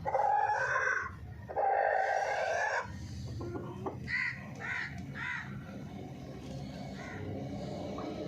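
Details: Chicken calls: two long, loud, harsh drawn-out cries, then a series of shorter clucking notes roughly every half second, with a steady low background noise.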